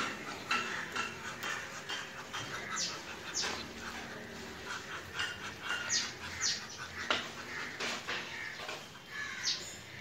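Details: A domestic Muscovy duck that greets people gives soft, breathy hisses and short rasping puffs, roughly one every second, over faint background noise.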